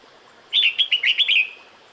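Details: Breeding-season call of a female red-whiskered bulbul to the male: a single rapid run of about six bright whistled notes lasting one second.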